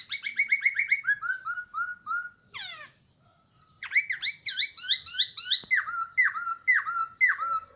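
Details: Caged hwamei (poksay) kept for about a year, singing a varied run of clear whistled notes: repeated falling slurs, a sweeping rising phrase, then loud looping whistles repeated rapidly.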